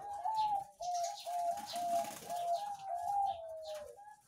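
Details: Zebra doves of various ages in clean cages at a breeding farm on 3 July 2019 give a soft, mellow cooing series of short, slightly wavering notes, about two per second, with faint chirps of other birds behind.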